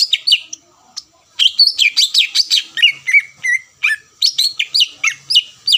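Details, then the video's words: Song of a greater green leafbird played to provoke rivals: short chirps, a pause, then a fast sequence of high whistles and chattering notes with slurred downward phrases. "PANCINGAN CUCAK IJO GACOR MEMANCING EMOSI LAWAN LANGSUNG NYAUT"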